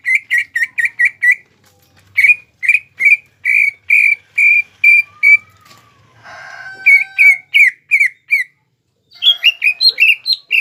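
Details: Greater green leafbird kept as a singing bird, giving repeated short buzzy notes in fast runs, with a clear whistled glide and a brief rough noise around the middle.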